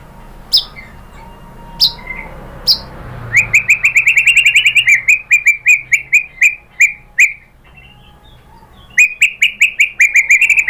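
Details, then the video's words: A white-rumped shama sings as a lure meant to make other shamas reply. Scattered sharp chirps give way to two long bursts of rapid, repeated whistled notes, separated by a short pause. "MURAI BATU jadi Gampang NYAUT GACOR BONGKAR MATERI ¦ PANCINGAN MURAI ¦ SHAMA BIRD"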